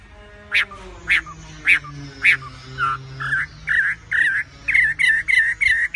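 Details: Tame wambi singing vigorously over a low hum. Sharp, bright notes come first, then a steady run of warbled, wavering whistles at about two per second.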